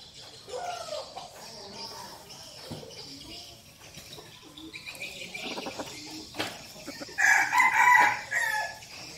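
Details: Crow of a decoy red junglefowl arriving near the end after several seconds of rustling and faint background chatter, short and raspy, rising over the low hum.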